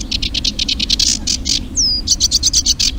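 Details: Eurasian reed warbler song, played back for identification at the Urdaibai marsh in Spain during northward spring migration. It begins with quick harsh chattering notes, then a sharp descending whistle, then a fast, slightly tonal stutter.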